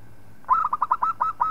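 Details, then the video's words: Local zebra dove singing, a recording used as a tutor song for training other birds: a quick staccato run of about eight mellow, bubbling coo notes at a steady mid pitch, lasting about one second. "Suara Perkutut Lokal Palng Zos Untuk Masteran"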